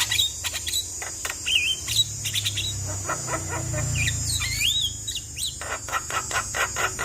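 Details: Javan myna in a varied imitative song played to make a quiet myna start singing: sharp chirps, curling whistles and a rapid rattle of clicks near the end, steady high hiss behind.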